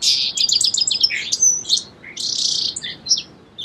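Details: Song sparrow song: a quick series of repeated high chipping notes running into a buzzy trill, then a second burst of rapid jumbled notes and a short closing phrase.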